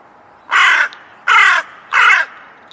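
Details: Crow, three loud harsh caws about 0.6 seconds apart, each raspy and broadband with a slight downward slur at the end, in an otherwise quiet background.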